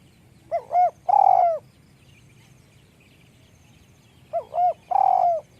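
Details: Spotted dove, described as having a small voice, giving two soft, low cooing phrases about four seconds apart. Each phrase is a short double coo followed by a longer, drawn-out falling coo, over a quiet background.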